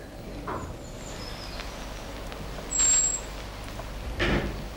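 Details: A European robin, aware that enemies are around, gives a single thin, very high, drawn-out alarm whistle that is hard to locate and signals others to take cover, over steady hiss with faint high tones and soft noise bursts.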